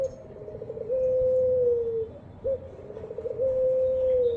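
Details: Ringed turtle dove (puter, pelung type) kept by hobbyists in Java, Indonesia, cooing: a short low note, then a long even coo that dips at its end, repeated twice with a quieter murmur between.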